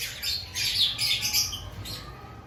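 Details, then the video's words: Aviary lovebirds before the breeding season: rapid, grating high chatter of several squawks run together, fading toward the end, with low mechanical hum behind. "Before breeding season Check your love Bird activity"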